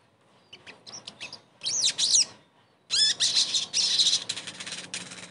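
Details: Crested jay (sogon) therapy recording for a silent bird; soft chips build into loud arching, slurred whistles, then a long stretch of rapid, harsh chattering.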